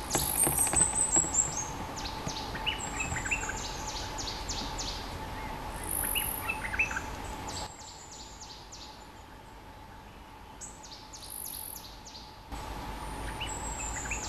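A bulbul sings bright, quick phrases of high, falling whistled notes over a steady background hum.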